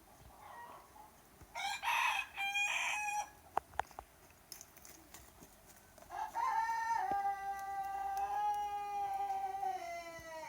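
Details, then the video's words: A bunch of roosters crowing non stop in the morning. Two short crows come first, then a long, steady, slowly falling crow lasting about four seconds over faint background hiss and a few clicks. "Crowing Roosters Sound Effect Plus - Non Stop Crowing Sound in the Morning"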